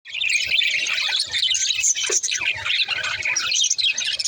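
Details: Budgerigars in breeding condition: dense, continuous high chirping and warbling chatter from several birds at once, with scratchy squeaks and twittering notes overlapping throughout and no pauses.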